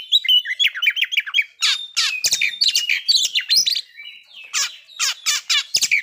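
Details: Oriental magpie-robin singing to provoke breeding condition and aggression: a quick series of descending whistles, then busy chattering and buzzy phrases, short gaps, and bursts of harsh notes.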